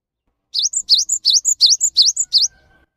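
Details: Cinereous tit pouring out a loud, persistent song meant to provoke lazy or stressed caged birds into calling: seven crisp high whistled two-part phrases, rising slur plus piercing top note, delivered steadily for two seconds.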